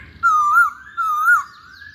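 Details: Hwamei singing two long, clear whistled notes, each wavering gently up and down at mid pitch and separated by a short pause, over a faint low background hum.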